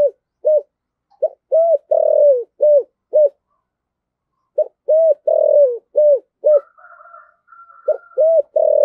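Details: Spotted dove decoy calling in the thổ sấm voice style to fire up rivals: series of low, hollow coos in quick clusters separated by pauses, ending in longer drawn-out notes, with a faint higher tone partway through.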